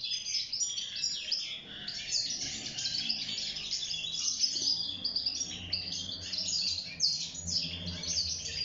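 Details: European goldfinch, wild-caught and kept in a cage, singing to court and build a nest; rapid, jumbled chatter of bright chirps and liquid trills running throughout, with a faint low hum underneath.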